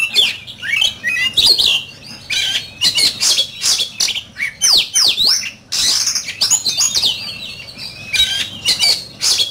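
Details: An oriental magpie-robin sings fiercely in a duel. The song is loud and varied, with clear whistles, deep downward-swooping slurs and scratchy chatter in close succession, broken by a few short silences.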